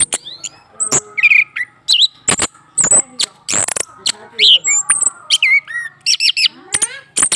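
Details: Caged male orange-headed thrush singing after a female is placed beneath his cage to provoke him: a rapid medley of sharp high chips, slurred whistles and rising-falling warbled notes, delivered almost continuously.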